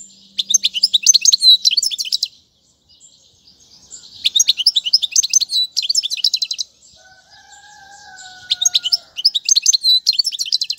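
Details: European goldfinch song meant for tutoring young birds, delivered in three bursts of bright twittering and rattled trills separated by pauses; a soft two-toned drawn-out whistle sounds in the middle gap.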